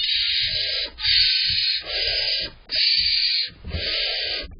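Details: Barn owl owlets in their nest box, the larger one bossing for more prey while the mother feeds pieces, uttering drawn-out rasping hissing screeches nearly a second long, separated by brief pauses and low rustling.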